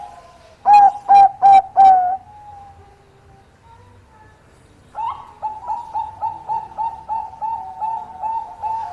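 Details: Zebra dove of the Bangkok type, a keen singer luring a rival to call back, gives four loud, hollow coos in a rapid burst, then a pause before a steady run of quieter, evenly spaced notes.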